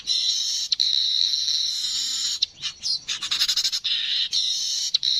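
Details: Streaked weaver singing a sustained high sizzle, interrupted midway by a burst of fast, dry chattering clicks, then returning to the hissing buzz.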